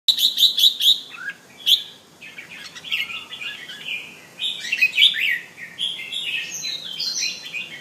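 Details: Male Penang bulbul singing at home in a display: a quick run of four sharp high chirps, then a pause and rich, warbled phrases sliding between mid and high pitch, each note clearly separated.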